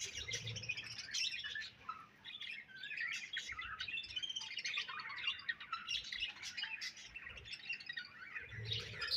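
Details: Continuous budgerigar chirping and warbling: rapid twittering notes rising and falling, with short squeaky phrases and a brief quieter patch near the two-second mark.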